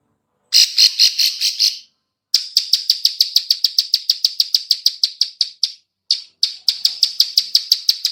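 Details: Female bar-winged prinia giving its clicking call, used as a lure for other birds: rapid dry high clicks, about five per second, in three bursts separated by short silences.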